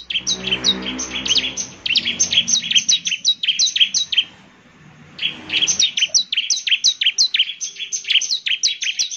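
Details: ['Bar-winged prinia delivering gacor song to provoke answers from other prinias: long chains of quick, sharp high chirps, a one-second lull, then the rapid chirping resumes; faint low hum early on.']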